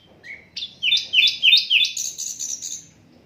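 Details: Asian brown flycatcher song, unedited and used to tutor other songbirds: a low whistle, then a run of about six bright down-slurred notes stepping upward in pitch, ending in a high thin trill.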